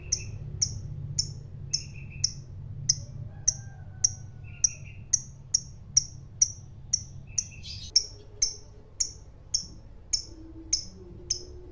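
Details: Fighter lovebird, kept as a hobby bird, giving sharp high chirps about every half second at a steady pace, with a faint low hum underneath.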